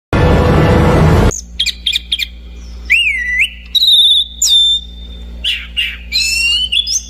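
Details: Orange-banded thrush singing: a burst of loud broadband noise opens, then clear whistled notes, rising and falling sweeps and bright high slurs in varied phrases, over a steady low electrical hum.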